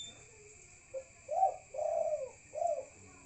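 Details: Spotted dove heard at night with a short soft lead note followed by three mellow, slightly falling coos, the middle one longest, against a quiet background with a steady faint electrical tone.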